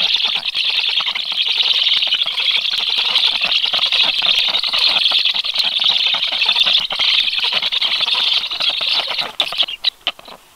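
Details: Black stork chicks at their nest on 13 July, chirping reflexively for food when a strange stork appears nearby; a continuous shrill chatter of rapid chirps that fades out near the end, leaving a few scattered clicks.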